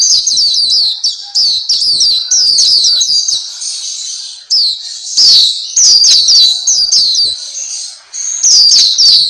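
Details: Pleci Papua, the Black-capped white-eye, pours out rapid, thin, high twittering phrases of sliding notes, with a softer stretch midway and louder bursts toward the end.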